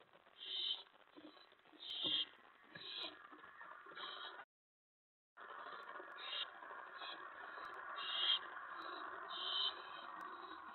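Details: Owl at its nest late at night on May 15, 2017, around a prey delivery: harsh hissing begging bursts in uneven sequence, a brief gap of silence midway, then more rasping hisses with faint rustling beneath.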